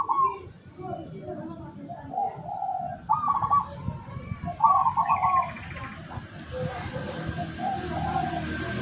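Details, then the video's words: Decoy zebra dove, local type, used to attract wild doves, 17 August 2023: soft low notes build to two bursts of quick trilling coos, then quieter cooing beneath rising background hiss. "suara perkutut lokal pikat"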